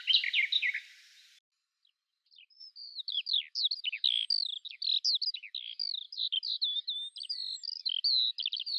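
Garden Warbler singing a long, rich, hurried warble of mellow rapid notes that flows on without a break. A different brief chattering snippet comes first.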